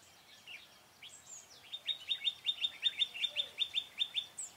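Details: Red-whiskered bulbul acting as a trapping decoy on 4 February 2017, singing to lure and fight wild birds: a few sliding whistled notes, then a fast, even run of about fifteen bright repeated chirps.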